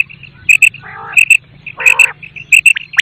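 A quail gives sharp, high, clipped notes in quick pairs, about every 0.7 seconds, broken twice by lower buzzy, rasping bursts.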